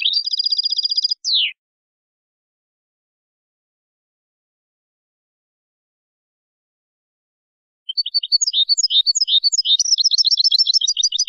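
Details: Spanish European goldfinch song from a tutoring CD for teaching young birds: a clean, high, rapid trill of tinkling notes ending in a brief dropping slur. After six seconds of silence comes a livelier twittering run of varied chirps that builds into fast buzzy trills.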